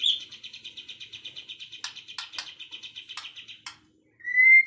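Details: Afternoon birds: a steady high rattling trill runs on, broken by several sharp clicking chirps, then a brief pause and one clear rising whistle at the end.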